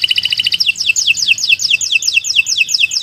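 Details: Canary song recorded as a model for teaching other birds: a brief fast trill gives way to a rhythmic series of bright, downward-sweeping whistled notes, about two per second.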